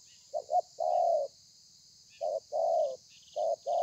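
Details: Spotted dove, wild-caught, with a 'thổ pha' song from 30 November 2020: a stammered double coo, a long falling coo, then the pattern beginning again, all low and mellow above a faint hum.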